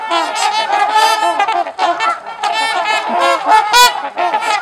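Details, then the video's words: Trumpeter swans socializing at LaSalle Park, Ontario, Canada: several birds give overlapping loud, nasal, horn-like honks in a continuous chorus. "TRUMPETER SWANS"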